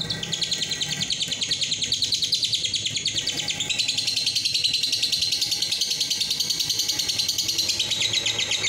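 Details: Lovebird long ngekek song used as a master recording to prompt other lovebirds to sing long with tight gaps: a continuous rapid high-pitched chattering trill, unbroken for the whole stretch, with a faint low hum beneath.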